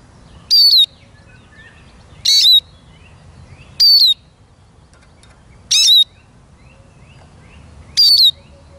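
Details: Eurasian siskin calling steadily, five short shrill notes roughly every one and a half to two seconds, each a quick falling whistle, with faint twittering behind.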